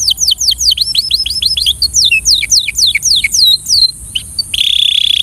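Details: Belgian canary singing for training: a fast run of bright, high descending whistled sweeps, some slurred and buzzy, ending in a steady shrill trilled note, with a faint constant high hiss behind.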